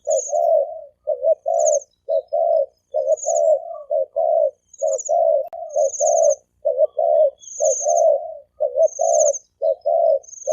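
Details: A male and female spotted dove coo in thổ kim fashion to provoke wild doves. Low rolling coos repeat about once a second under regular high-pitched trilled chirps.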